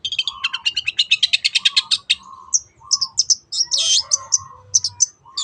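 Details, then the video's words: Long-tailed shrike, cendet, singing in the 'teot teot' style, a recording used as a lure to get other birds singing: a fast run of about fifteen harsh, chattering notes, then scattered high chips and a longer buzzy burst. "SUARA BURUNG CENDET TEOT TEOT pancingan AGAR BURUNG MANAPUN IKUT GACOR"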